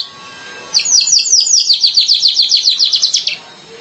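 A streaked weaver gives a fast run of high, thin, buzzy notes, about six per second for two and a half seconds, over quiet background hiss.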